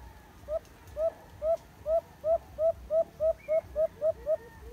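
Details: Alimokon, the white-eared brown dove, in a cage-trap setting, giving a steady run of about twelve brief mellow hoots with a rising inflection, three to four a second, with faint low thuds underneath.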